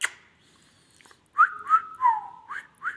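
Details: Talking Indian ringneck parrot giving a quick run of five or six whistled, speech-like syllables with bending, rising and falling tones, after a short sharp click at the start.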